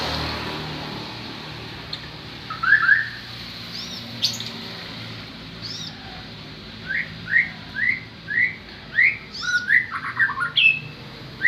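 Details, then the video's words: White-rumped shama singing: a run of clear whistled upslurred notes, several repeated about twice a second, interspersed with higher sharp notes and a brief burst of quick varied phrases near the end, over a faint low background hum. "Terapi Burung Murai"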